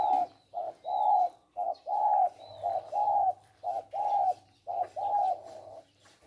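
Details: Male spotted doves kept as decoy birds for trapping in Thailand; soft low coos in short paired phrases, a brief note then a longer one, repeated roughly once a second, with a faint low hum beneath.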